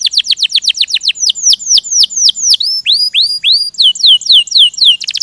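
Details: Canary singing gacor in rolling ngerol style: a long run of quick downward-swooping whistles, several per second, shifting into upward-curving slurred notes and back to rapid descending sweeps, with a brief buzzy burst at the end.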